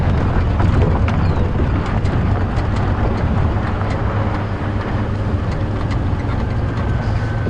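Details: A loud, low engine drone with rattling clicks and wind noise continues unbroken, and no animal sound comes through.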